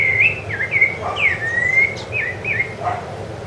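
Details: Rufous-bellied thrush on Ilha do Governador, January 2013, singing a varied string of melodious whistles, short upslurs and longer gliding notes, with occasional faint lower tones in the background.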